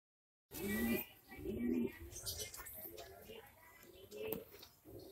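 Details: English Magpie pigeon, a fancy breed kept in Bhavnagar, Gujarat, India, giving two low cooing phrases near the start, then quieter scattered sounds and faint background noise indoors.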